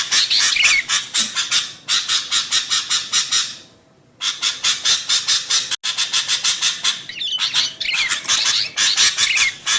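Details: Lure recording of a female sooty-headed bulbul calling the male: rapid grating chatter in fast, even bursts, broken by two short silences, with a few faint thin whistles woven through.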